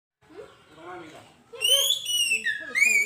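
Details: Oriental magpie-robin (kacer) in gacor masteran song used as a pancingan to prompt other kacer to sing: soft, low, muffled sounds at first, then loud clear whistled notes from midway, falling and sliding, with short trills.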